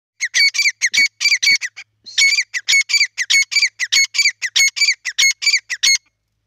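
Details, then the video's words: Grey francolin calling loudly: a rapid, rhythmic run of harsh, high, squawking notes in repeated groups, with a brief break near the two-second mark before the series resumes and then stops abruptly. "Teetar sound | Teetar ki Awaaz"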